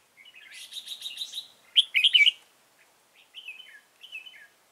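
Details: Red-whiskered bulbul used as a decoy in trapping, recorded 15 November 2017: a rapid buzzy chattering run of notes, then loud bright whistled notes and a few short rising-falling phrases.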